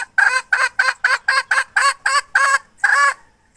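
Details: Hen from 2021 cackling in an even series of about ten short, nasal, clipped notes spaced roughly every third of a second, the last note slightly longer, with no other sounds.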